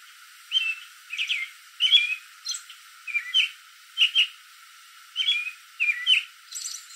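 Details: American robin sitting in a backyard tree late in the evening, calling to other robins: short clear whistled phrases, rising and falling, given in separate bursts about every half second to a second, clean background.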